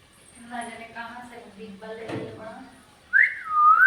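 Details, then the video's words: Pet parrot talking, saying bye: a speech-like voice with a low, harmonic tone for almost three seconds, then a loud whistle that rises and then falls at the end. "My cute parrot say bye at end"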